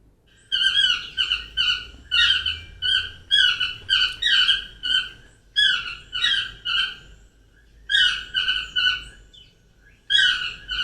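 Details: Two or three Yellow-throated Toucans (Ramphastos ambiguus) of tropical rainforest sing together in loud, ringing yelps like 'Dios te dé, te dé', about two per second, the source of their name; a Keel-billed Toucan is faint behind.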